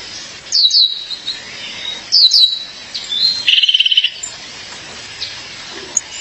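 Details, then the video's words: Calling for her mate, a female Violaceous Euphonia gives two quick high chirp clusters, then a short, rapid buzzy trill of about ten pulses, and a few faint notes trailing off. "Fêmea de Guriatã, chamado seu parceiro."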